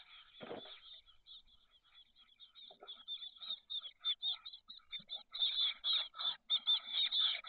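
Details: Brood of chestnut-backed chickadee chicks, 13 days old, in a California nest box: rapid run of short buzzy hisses that quickens and grows louder toward the end, one lower scuffling noise near the start.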